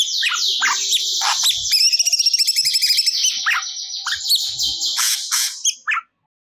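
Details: Actively singing grey-cheeked bulbul releasing stored song material: scratchy chatter breaks into a quick rattling trill, then returns to harsh notes before stopping.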